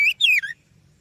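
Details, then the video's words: Oriental magpie-robin (kacer) lure song: a short rising whistle, then a longer falling slurred note and a brief lower tail, over faint low hum. "Suara Burung Kacer Yang Sangat Indah,Cocok untuk Pancingan"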